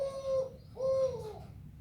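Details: Zebra dove, Kelantan singing type, with melodious voice: two soft, low cooing notes, each a steady hum with a brief rising start, separated by a short pause, in a quiet room.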